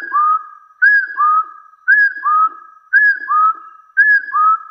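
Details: Hill partridge giving its rival-challenging call: evenly paired clear whistles, a short arched note then a lower rising one, repeated steadily about once a second against silence.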